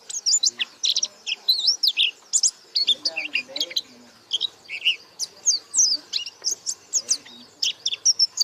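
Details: White-eye singing vigorously with beak open: a dense, rapid stream of high, sharp chirps and twittering notes, many rising or falling, delivered almost without pause throughout, with no other clear sounds.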